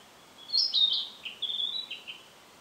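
A Narcissus flycatcher gives two short bursts of high, thin, chirping notes about a second apart, over faint steady background hiss.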